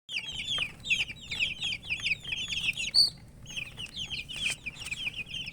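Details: Baby chickens thirsty for drinking water, a group of chicks peeping nonstop: high, sharp downslurred chirps tumbling over one another in a dense, busy stream, with one brief louder squeak near the middle.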